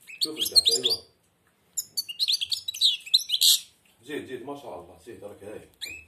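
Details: European goldfinch, blind, singing with its beak almost closed. Liquid, chattering high phrases come in three bursts separated by short silences, and a man's voice speaks beneath the later ones.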